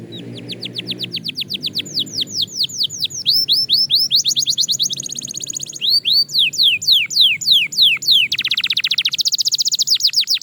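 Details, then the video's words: Fast-tempo song of a Belgian canary in training, with long runs of rapidly repeated descending whistled notes, changing tour by tour, high trills between them, and a dense buzzy roll near the end. "Shocking Canary Singing Progress – You’ve Never Heard This Before!"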